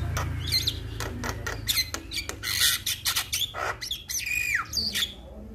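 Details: Male Javan myna calling other mynas: loud raspy squawks and screeches interspersed with twisting, downslurred whistles, over a continuous low hum.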